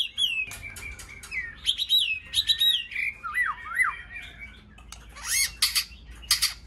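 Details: Many-voiced white-rumped shama song used to excite and train shamas. Long sliding whistles and repeated dipping notes are followed by harsh, noisy buzzes near the end.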